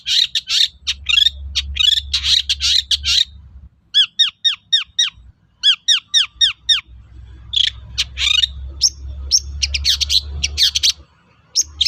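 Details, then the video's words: Long-tailed shrike song used as a lure to make other shrikes answer: harsh buzzy bursts, then a quick run of arched whistled notes, more harsh chatter and a steady low hum beneath. "SUARA BURUNG PENTET GACOR AMPUH UNTUK PANCINGAN CENDET LAIN AGAR NYAUT"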